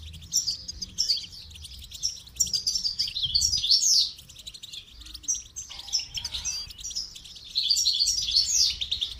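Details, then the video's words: Goldfinch singing as a training model, loud, rapid phrases of high chirps and buzzy trills in repeated bursts separated by brief quieter gaps. "Motivational rewards for training goldfinch to song"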